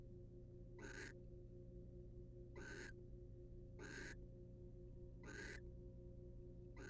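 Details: Male wild barn owl preening a female in a nest box; five coarse, hissing bursts spaced irregularly about 1.2 to 1.5 seconds apart, steady electrical hum beneath.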